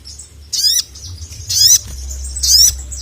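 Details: Sogon, a sunbird-like songbird, calling to a male: three harsh, buzzy, high-pitched bursts about a second apart, each with a rapid descending rasp and a thin rising whistle, over a low steady hum.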